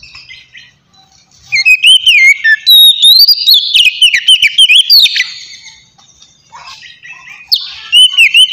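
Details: White-rumped shama singing a relaxed ngeplong song meant to attract wild shamas: after a quiet start, a burst of loud sliding whistles and sharp chips, a pause, then more whistling.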